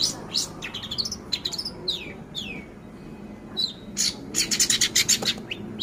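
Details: Young long-tailed shrike, four months old, singing mimicked phrases of scarlet minivet and canary: bursts of rapid high chirps, downward slurs and dense trills, with a quiet pause mid-song before fast clustered notes resume.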